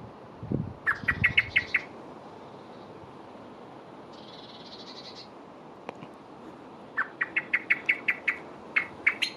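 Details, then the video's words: A male blackbird chirping while fluttering its wings gives rapid runs of sharp, bright chips, about six to eight a burst, with soft wing flutters at the start and a brief buzzy note between bursts. "Blackbird - if I flutter my wings does it make my chirp louder?"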